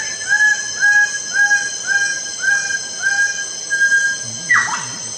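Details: Rhythmic run of seven loud, upslurred calls from a lesser bird-of-paradise, roughly two per second, followed by a harsh descending note, over steady insect buzzing.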